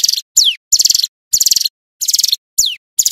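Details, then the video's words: Loud, clear song of a male hill prinia: chattering high trill bursts, each about a third of a second, alternating with steeply falling whistled notes, in a steady repeating pattern with no background. "Suara ciblek gunung GACOR"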